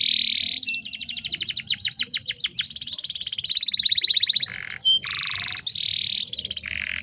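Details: Breeding female canary singing to excite other canaries: a buzzy opening, rapid swept trills, then alternating harsh rolls and bright tones, with faint low background noise.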